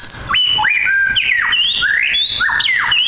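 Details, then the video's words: Caged white-rumped shama, roughly two years old, at a coffee shop in Sidoarjo, Indonesia, singing constantly: rich whistled phrases sweeping up and down, with quick slurred notes packed closely together. "Shama Bird or Murai Batu Medan"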